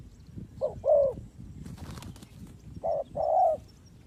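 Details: Spotted dove call used as a trapping lure: low, soft coos given as a short note followed by a longer one, the two-part phrase heard twice, with faint rustling between.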